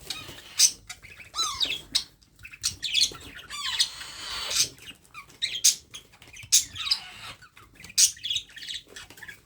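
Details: Hand-fed baby parrot producing loud harsh squawks and falling harmonic wails, bursts repeated about every second, with one longer buzzy rasp midway.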